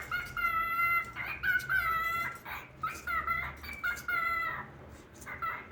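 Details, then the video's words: A talking cockatiel gives a run of buzzy, harmonic-rich whistled phrases, short bursts repeated with brief pauses, each holding a steady mid-high pitch, in a quiet indoor setting. "عروس هلندی سخنگو"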